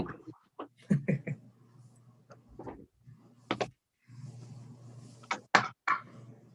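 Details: Indoor sounds of human speech mixed with scattered knocks and ticks, with no animal voice heard.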